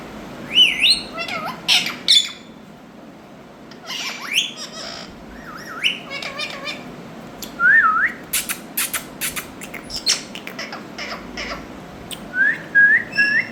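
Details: Pairs of Indian ringneck parakeets giving a busy mix of looping whistled notes and harsh broadband squawks and clicks, loud bursts every second or two, with short quiet gaps between.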